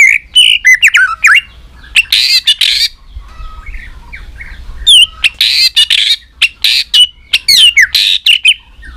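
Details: Competition fighting song of a three-season white-rumped shama: harsh buzzy bursts alternate with sharp high chevron-shaped whistles and clicking chatter, delivered in dense rapid runs with short gaps.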